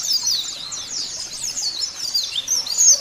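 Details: Caged white-eye giving a continuous, high, thin twittering song of fast chirps and slurred notes, a recording used to make caged white-eyes sing.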